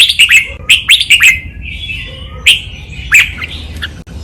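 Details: Red-whiskered bulbul singing a training pattern, double style with counted notes: sharp, ringing whistled notes fired in quick sets, scattered single notes and short warbles between them, clean and close.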